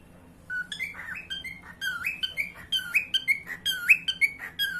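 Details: A pet cockatiel sings a lively run of rising and falling whistles with bright harmonics.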